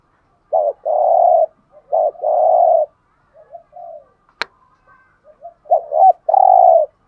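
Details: Two loud spotted dove phrases in the 'giọng hạp' style for rousing caged males, each a quick double note and a long steady coo, then soft notes, a sharp click, and a third full phrase.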